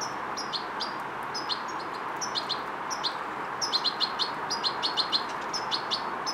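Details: Fledgling European goldfinch learning motor control and coordination: sparse high tweets early, then dense, rhythmic series of sharp chirps through the second half, against constant background hiss.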